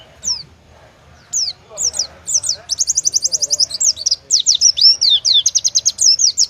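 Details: Oriental white-eye singing in 'tembakan' competition style favoured by judges: scattered high downslurred whistles opening into a rapid, rattling trill and continuous bright twittering phrases, very high-pitched throughout, with faint low room noise.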